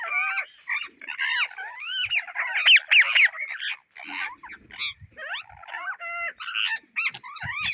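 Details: Indian ringneck parrots searching for seeds give rapid, overlapping, rising and falling harmonic screeches. The calls come in quick runs separated by short gaps.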